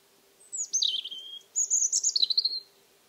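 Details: Singing as if spring had come, a European Robin at an old Alentejo house on a warm October 2014 evening delivers a high cascading phrase falling into lower twitters, then a shimmering rapid trill.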